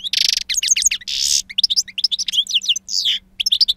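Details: European goldfinch, two years old, in wild-style song: harsh buzzy bursts alternate with fast, bright, bouncing twitters, sung continuously with a faint hum behind.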